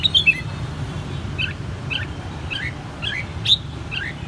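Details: Hand-raised red-whiskered bulbul kept in Saigon, Vietnam, from the white-cheeked juvenile stage: two sharp opening chirps, then a steady run of short two-part notes repeated roughly every half second over low hum.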